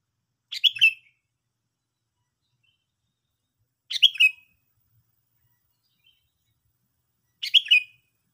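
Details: Three evenly spaced, lively chirp phrases from a Sooty-headed bulbul, each a short rush of bright notes sliding slightly downward, separated by about three seconds of silence.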